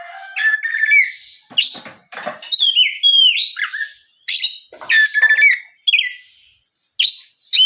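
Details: Oriental magpie-robin singing a lure song to draw replies from other magpie-robins; varied whistled and harsh scratchy phrases, some sliding down in pitch, delivered in irregular bursts about every two seconds.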